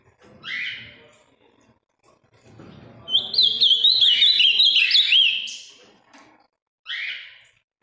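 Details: Large, deep-blue ultramarine grosbeak from the Minas Gerais region, noted for a very firm song, delivering a rich fast warbled phrase of sliding high notes, bracketed by short separate bursts, with faint low murmurs beneath.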